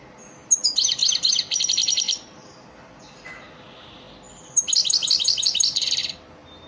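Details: Elmacık-style lesson song of the European goldfinch, used to teach caged birds: two rapid, high, tinkling trilled phrases of about one and a half seconds each, separated by a short pause with a soft buzzy note.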